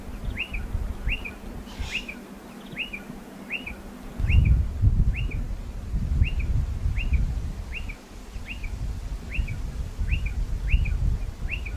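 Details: A striated pardalote at nesting burrows in a dry stone wall repeats a short upswept whistle with a trailing note in a long steady series, about every two-thirds of a second; louder low rumbling joins midway.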